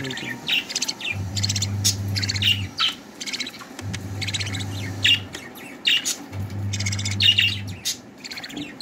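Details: Two budgerigar chicks being fed by their mother give dense, raspy chirping bursts as they beg, over a pulsing low hum.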